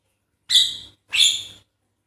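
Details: Javan myna, used as a lure to make a lazy, quiet bird start singing, giving two harsh, hissing, high-pitched bursts about half a second each, spaced roughly half a second apart; nothing else heard.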